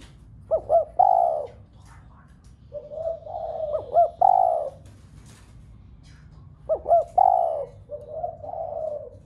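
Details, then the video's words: Spotted dove giving its coo, used to stimulate other doves at home to coo: three quick stuttered notes and a swelling coo, then a softer drawn-out coo, the phrase repeated about every three seconds. "Cu gáy gáy thúc cả bầy cu ở nhà gáy loạn. tiếng chim cu gáy kích bổi nhanh nổi nhất. cu đất"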